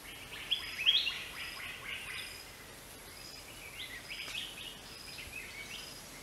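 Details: Greater racket-tailed drongo calling: a cluster of bright, sharp notes rising and twisting high in pitch, loudest near the start, then a softer run of similar notes later, over a steady hiss of background noise.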